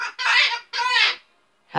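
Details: Pet Umbrella Cockatoo, a ten-year-old female with a large learned vocabulary including cursing, utters two loud, rasping syllables about half a second each, harsh and rich in overtones, then a brief pause before another sound begins.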